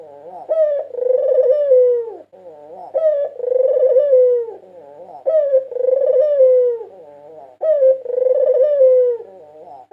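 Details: White Barbary dove, a 2022 national champion singer whose song serves as a lure for other doves, gives four steady, rolling coos about every two and a half seconds. Each coo starts with a quick rising note and then falls softly.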